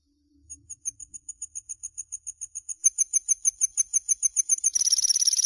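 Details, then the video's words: Common linnet singing a thin, high, rapid trill of repeated ticking notes that speeds up and grows louder, then breaks into a buzzy, harsher ending. "Chant De Linotte"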